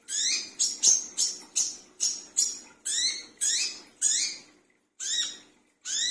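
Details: Noisy midnight calling of a brown-throated sunbird used as a lure: a rapid run of about a dozen rasping, high-pitched notes, each sliding downward, delivered almost without pause.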